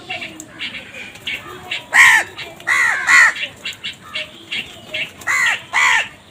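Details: Crows cawing in a busy flock, several harsh, nasal caws in quick pairs and threes at roughly half-second spacing, over a background of softer chirps and chatter from other birds.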